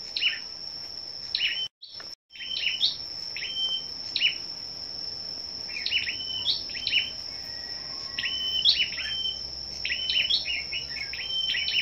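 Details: Scarlet-backed flowerpeckers competing in song on a 10 May morning: frequent sharp, high chirps in small groups, a brief silent gap early on, and a continuous high-pitched whine behind them.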